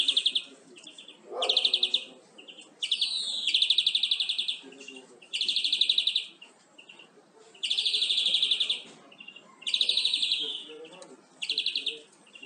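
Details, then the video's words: Captive-tutoring recording of European greenfinch song: a long run of loud rapid trills and rising wheezy slurs, phrases coming every second or two with little rest. "Greenfinch Song"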